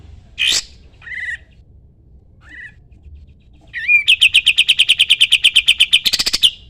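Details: Sooty-headed bulbul singing, kept for tutoring other songbirds: a loud sweeping note, a couple of softer short calls, then a long rapid trill of evenly repeated high notes lasting over two seconds, ending in a chattering burst.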